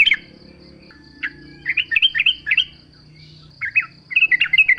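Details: Yellow-vented bulbul song used as a lure to make other bulbuls sing in reply. Bright chirpy, bubbly phrases burst in short clusters with pauses between, over a steady faint high pulsing background tone.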